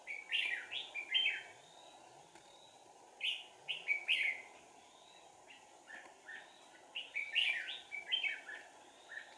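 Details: Red-whiskered bulbul singing as a trap decoy on 4 April 2019: rapid runs of cheerful whistled notes in several bursts, each a string of four to six syllables, over low steady noise.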